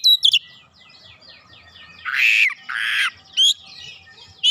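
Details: Oriental magpie-robin (kacer) answering fiercely with learned material: high whistled notes, a soft rapid ticking series, two loud harsh rasps, and a final sharp whistle.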